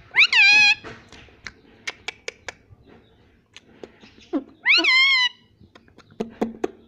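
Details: Indoor pet parrot saying "Mummy": two loud, high, bending harmonic syllables at the start and near five seconds, with a series of sharp clicks and taps in between.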